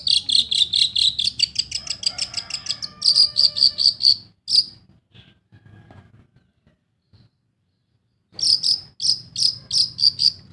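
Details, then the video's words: Long-tailed shrike song played to coax non-singing birds into song: rapid series of clipped, squeaky repeated notes, a long silent gap, then the same quick chips resuming. "SUARA PENTET GACOR. BUAT PANCINGAN burung MANDEG BUNYi"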